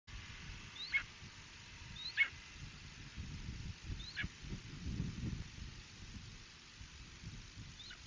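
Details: Red-shouldered hawk recorded in Ithaca, New York, in 2018, giving short sharp rising calls, four notes spaced one to two seconds apart, quiet against a steady low rumbling background.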